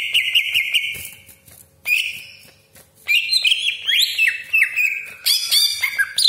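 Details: Greater green leafbird singing a lure song of sharp 'tembakan' and long rolls: a long steady whistle, a short silence, then rapid varied bright phrases leaping up and down in pitch.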